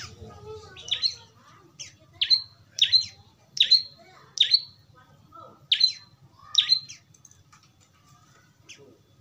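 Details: Young prenjak lumut (prinia) calling, used as a tutor recording to get a caged bird singing: sharp, high chirps with a downward flick, given in short clusters of one to three about every second, over a faint low hum.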